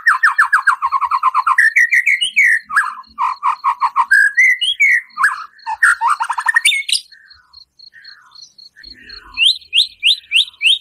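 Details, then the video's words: Gacor white-rumped shama, loud lure song packed with harsh 'shots' for stirring a captive shama: dense rattling trills, rising and falling whistled sweeps, a quieter stretch, then a run of bright rising notes, a steady high tick throughout. "Murai Batu Gacor Full Isian Tembakan kasar, Sangat Ampuh Untuk Pancingan Emosi Murai"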